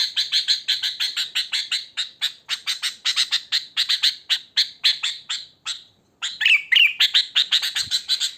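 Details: Wild sooty-headed bulbul in nature, used to lure other bulbuls: a long run of rapid, harsh, clipped chattering notes, several per second, with a brief pause before more scratchy, rising notes.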